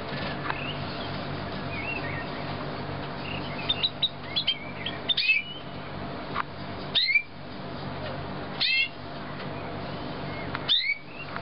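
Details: Young canaries of 2009, a group of fledglings, giving scattered short high chirps and upward-sweeping whistled notes in clusters every second or two, over a steady low hum and shuffling noise.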